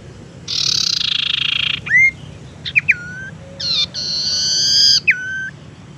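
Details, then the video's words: Tailorbird of the 'sirtu teras' type, with a uniquely varied lure call used to attract birds and coax silent ones into singing: long buzzy trills, then sharp upward-swooping whistles that level off into steady clear notes, plus quick paired ticks. "suara pancingan sirtu teras"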